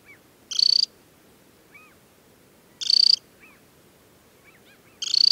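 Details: An adult Temminck's stint (Calidris temminckii) in summer plumage at a mountain-plateau lake in Norway in early July gives short, high, dry trills about every two and a half seconds, with faint soft chirps from other birds between.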